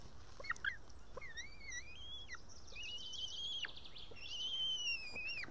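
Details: Young female white-tailed eagle chick in Estonia, June 2018 evening, begging after being unable to cut a fish: wavering, rising and dipping thin whistles, longer toward the end, over steady low background noise.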